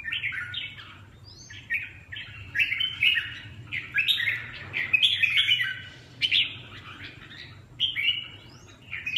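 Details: Red-whiskered bulbul on 18 July giving lively chirped and warbled phrases, repeated in quick bursts with short pauses, fairly clear against a quiet low background hum.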